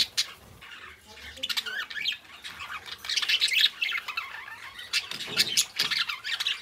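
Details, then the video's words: Two pet budgerigars, kept as best friends, chirping and warbling together: dense scratchy twitters and squawky chatter in bursts, with short clicks and rustling between phrases. "Cute Budgies Chirping: 2 Hours of Relaxing Parakeet Sounds"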